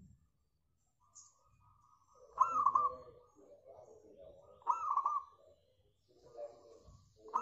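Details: Local zebra dove singing actively, a recording used as a lure to prompt other doves to sing: two cooing phrases near 2.5 and 4.7 seconds, each a stuttering burst of quick clipped notes ending in a drawn coo, with faint low noise between.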